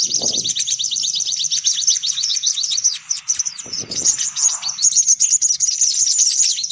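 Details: Sunbird lure recording meant to draw all sunbird kinds together: dense, very high, rapid twittering trills run almost without pause, with brief low thumps near the start and middle.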